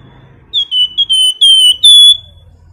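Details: Flamboyan bird in a nyiul-style song used to provoke other birds into singing: one burst of five or six clear, high whistled strokes, the first sliding down, the last drawn out and bright, over faint low hum.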